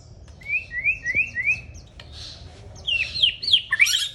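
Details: Gacor white-rumped shama singing: four clear, level whistled notes in a quick series, a brief pause, then bright swooping and buzzy phrases climbing higher, over a low steady background rumble.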